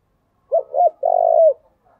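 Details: Spotted dove calling, used as a lure for bird trapping; three low hooting coos, two short notes then a longer drawn-out coo ending with a slight fall.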